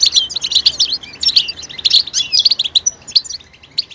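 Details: Goldfinch betbeta, a call of mating readiness played to bring silent males into song. Tight, rapid volleys of high, metallic chirps and slurred twitters, thinning toward the end.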